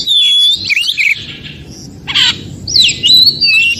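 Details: Oriental magpie-robin recorded in the forest, song meant to trigger other magpie-robins to answer: a long level whistle sliding into warbled notes, a harsh rasping burst, then a wavering whistled phrase.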